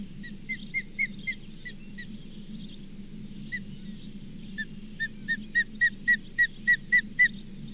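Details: Osprey at the Charlo nest, 4 June 2023, possibly with a grizzly bear nearby: a run of short, sharp whistled chirps, each dropping slightly in pitch. They repeat about four times a second, grow louder toward the end, and sit over a steady low hum.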